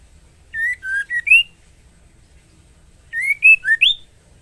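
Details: White-rumped shama hen in breeding condition calls to a male with two phrases of four short whistles, the first level and dipping, the second climbing to a higher upslurred final note, separated by a pause of about two seconds.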